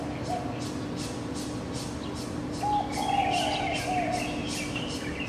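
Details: A bird's dawn song at about 04:51, recorded from a fourth-floor home: low, drawn-out whistled notes with faint higher chirps mixed in, over a steady hum and quick regular ticking.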